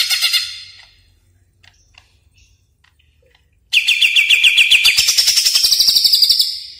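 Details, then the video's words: Greater green leafbird lure sound for luring and training birds: a short high chattering burst, a pause with faint ticks, then a loud fast series of rising-falling whistled notes, about four per second, over a buzzy upper layer. "suara pikat burung cucak ijo"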